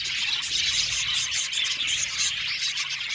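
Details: Many budgerigars in a 70-pair aviary colony chatter at once, a bright, dense stream of quick chirps and squeaky warbled notes that never breaks.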